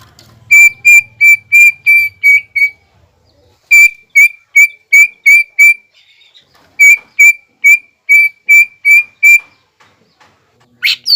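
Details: Greater green leafbird sings the mbeset style to stir rivals: three bursts of rapid, flat, identical whistled notes, about six to eight per burst, separated by pauses of roughly a second.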